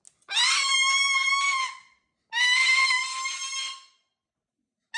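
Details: Pet cockatoo screaming loudly indoors at home; two long, sustained harsh screeches, each about one and a half seconds, separated by a brief pause.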